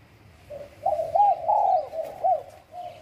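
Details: Wild spotted dove from Bang Bai Mai, Surat Thani, Thailand, giving a soft, low cooing phrase: several throaty coos rising and falling, run together over about two seconds, with a short final coo after.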